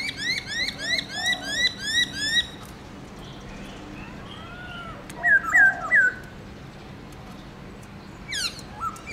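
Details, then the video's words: Morning song of a caged black-throated laughingthrush, forest-style with many notes: a fast run of nasal, rising upslurred notes about three per second, a pause, then three bright looping whistles and a final sharp upswept note. "Khướu bạc má HÓT GIỌNG RỪNG- LUYẾN NHIỀU ÂM"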